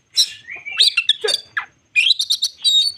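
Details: Crested shama singing a provoking lure song meant to agitate untrained birds, with sweeping whistled notes, quick chattering notes and a sharp upward slur after a short gap.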